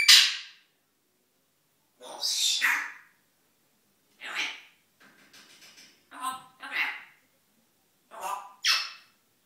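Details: Captive male African grey parrot gibbering to himself during a morning session: short breathy, hissing and sneeze-like utterances mixed with speech-like mumbling, coming in separate bursts every second or two indoors.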